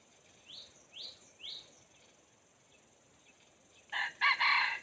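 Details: Red junglefowl used as a decoy to lure wild junglefowl. Three short rising chirps sound about half a second apart. After a pause comes a loud, rough, multi-part crow in stuttered bursts.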